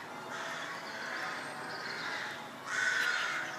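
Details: Rooks calling near St Mary's church, Pulford, Chester: a wash of distant hoarse caws from many birds, then a nearer, louder rasping caw near the end, over a thin constant high tone.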